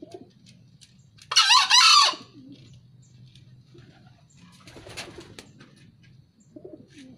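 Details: Wild native green junglefowl from Kebumen, Central Java, crowing: one loud, harsh, hoarse crow of under a second with rising buzzy tones, followed by quiet background noise and a brief fainter rasp.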